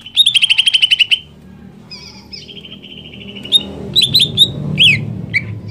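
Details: Greater green leafbird singing to spur another leafbird on: a rapid burst of about ten chirps, a long thin whistled note, then scattered sharp slurred notes over a low background rumble.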